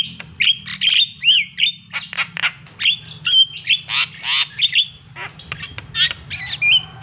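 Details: Javan pied starling with calls meant to provoke a reluctant bird into singing: loud, harsh squawks mixed with short clear whistles and chattering notes, delivered in rapid bursts about twice a second, with a steady low electrical hum behind.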